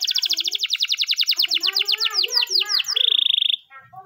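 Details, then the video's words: Canary training song in the morning: a long rapid series of repeated chirps that slows into sweeping notes, then a short buzzy trill, with softer lower warbles beneath. "the best canary training song in the morning!!"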